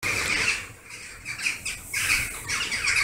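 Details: Western jackdaws gathering en masse at a favourite evening roost in August, hundreds or thousands circling overhead; sharp squawking calls overlap in a dense, noisy chorus, fading slightly mid-clip before swelling again.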